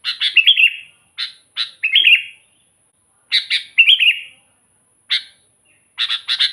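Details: Sooty-headed bulbul in full, lively song, used as a lure to attract wild bulbuls for trapping: short bubbly phrases of sharp chirps running into fluttering, slightly descending warbled notes, repeated in bursts with brief pauses, over a faint steady high whine.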